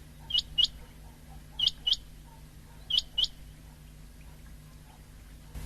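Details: Common quail, recorded 19 February 2024, giving sharp, high, liquid notes in quick pairs, the pairs repeated about every 1.3 seconds, over a faint steady low hum.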